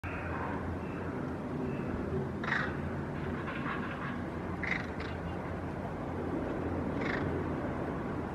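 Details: Hooded crows mobbing a ringed northern goshawk perched on a rooftop railing, flying close and vocalizing until the hawk leaves; three harsh, raspy caws about two seconds apart over a steady low rumble.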